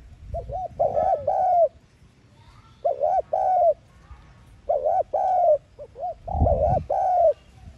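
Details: Decoy call of a spotted dove, thúc gù style, meant to get pet doves cooing quickly. There are four phrases of arched, mellow coos, each ending in a longer note, with a soft low rumble under the last.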